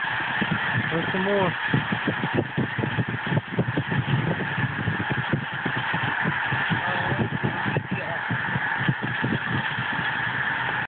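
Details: A huge flock of snow geese calling together, steady crowded honking and yelping throughout, a few clearer individual notes early on, with human voices talking over the din and a low background rumble.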